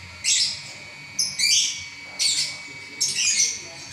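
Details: Champion lovebird singing continuously for a long stretch. Harsh, squeaky chattering bursts, four clusters in four seconds, each a rush of high scratchy notes with brief gaps between, over a quiet low background hum.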